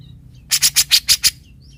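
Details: Grey-cheeked bulbul, a skilled tutor bird, singing with its typical harsh 'besetan' notes: six loud, rasping, broadband bursts in quick succession, lasting under a second, in a quiet background.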